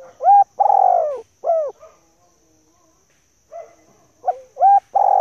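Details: Female spotted dove call, used as a lure to draw males and to excite decoy birds. Loud, clear low coos with bent, hooked notes come in a quick cluster, then a pause of about two seconds before a fresh burst of coos.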